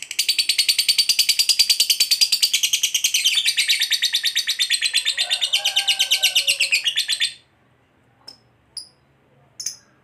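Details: Fighter lovebird giving its long "ngekek panjang" song, used as a lure to make quiet lovebirds answer: a loud, rapid, buzzy chattering trill of steady repeated notes lasting about seven seconds, then silence broken by a few sharp high chips.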